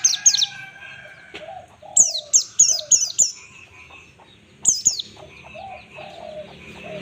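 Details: White-eye singing in the ngalas style, used as a master recording for training birds: bursts of high, sharply falling chirps in quick runs, with lower cooing notes and faint background sounds between phrases.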